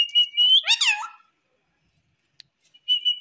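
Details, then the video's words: Talking pet Indian ringneck parakeet mixing speech and whistles: steady high whistled notes lead into a loud, rasping, word-like phrase with falling harmonics, then silence, then whistling resumes. "Mummy Papa Bolne Wala Parrot || Talking Parrot"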